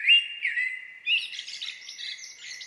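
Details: Common blackbird song: a clear whistled, slightly sliding phrase flows into a rapid, scratchy high twittering flourish. Nothing else is heard.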